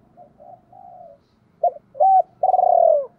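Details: Spotted dove decoy calling to attract females: quiet mumbled coos, a short pause, then a clipped note, a level held coo and a long trilling, slowly falling rolled coo.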